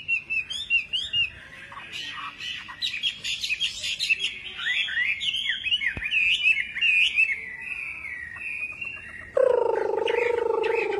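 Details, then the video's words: Wambi in lively full song, a varied, rapid twittering of high chirps and slurred whistled notes for about nine seconds, then cut abruptly by a louder, lower, steady buzzing sound. "Burung wambi gacor"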